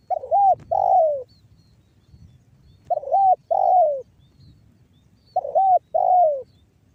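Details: A spotted dove gives the banggo bocor call, from Cirebon Utara in West Java, used as a lure for other doves. Three paired coos about every two and a half seconds: a short bent note, then a longer falling one.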